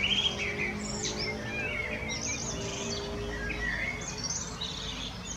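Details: Common blackbird song: short fluty warbled phrases in the mid range alternating with thin, high squeaky twitters, repeated over about five seconds, above a steady low humming background.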